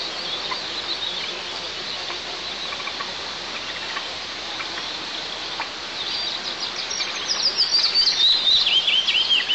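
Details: An eagle at a camera-monitored nest in a 20 m pine in south-east Tatarstan, on 1 July 2024, after the male brought a live ground squirrel, gives a run of thin, high, downslurred whistles over a steady background hiss.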